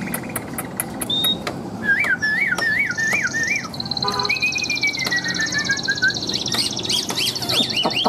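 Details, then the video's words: Newly arrived tame caged Chinese hwamei, said to sing nonstop with a loud, ringing voice; sharp clicks, then a series of wavy whistles and a long descending warble, with a high trill from other birds nearby. "Chim Thuần Mỏ Ra Như Máy, Giọng Cực Vang Cực Chất"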